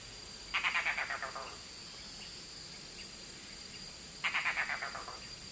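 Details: A red-bearded bee-eater (Nyctyornis amictus) calls to its young before entering the nest: two bursts of harsh, croaking chatter, each about six rapid notes, nearly four seconds apart, over a thin steady high hum.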